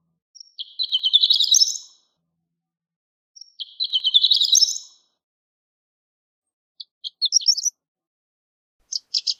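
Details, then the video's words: Horned lark song phrases: two long rising tinkling trills, each building into a thin twittering burst, given about three seconds apart, followed by scattered short high chirps. "Horned Lark Bird Singing, Sound, Calling, Voice - Alondra Cornuda Canto"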